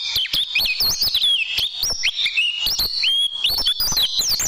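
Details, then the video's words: Tutoring recording of an oriental white-eye's tembakan song for caged birds: bright, high whistles that step up and down, with some longer level notes, all delivered in a fast, unbroken flow broken by clicks. "Masteran Burung Pleci Dan Tembakan"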